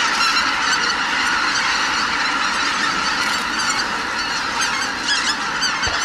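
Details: Massed greater white-fronted geese lifting off from the roost: steady, overlapping honking from countless birds, growing slightly quieter toward the end, with a brief low thump near the close.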